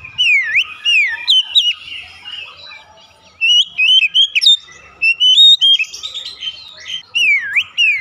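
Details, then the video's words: Oriental magpie-robin singing to lure others: deep swooping whistles dipping and rising, followed by clusters of short bright notes, a quieter stretch in the middle, then another swooping whistle. "memancing Kacer cepat ngeplong gacor"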